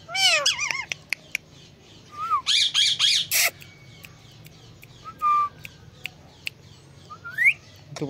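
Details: Indian green ringneck parrot copying a cat: an opening meow, harsh squawky bursts, short whistled slides and clicks against faint background hum.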